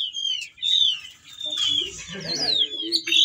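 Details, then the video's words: Whistling thrush singing while in breeding condition and calling to a female: drawn-out whistled slurs and richer overlapping notes with a few sharper chirps, low background murmur beneath. "burung CIUNG BATU GACOR teler bongkar isian"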